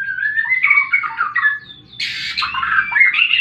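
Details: White-rumped shama in fighting song, used as bird therapy to prompt silent birds: rich, varied phrases of slurred whistles and warbles, a short pause, then a burst of harsher, louder notes with more whistles, over a faint low hum.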